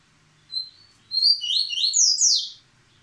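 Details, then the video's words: Captive male yellow-bellied seedeater, a breeding stud singing the paterno style while moulting; a thin high whistled note, then a rapid cascade of buzzy, sliding high notes falling and rising in quick succession for about one and a half seconds. "Coleiro Baiano Paterno; mesmo mudando ainda mostra sua velocidade"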